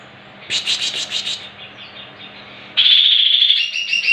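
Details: Greater green leafbird song, played as a lure to make other leafbirds respond and sing sharply: a quick burst of six shrill repeated notes, a short pause, then a long bright trilling whistle with chipping notes near the end.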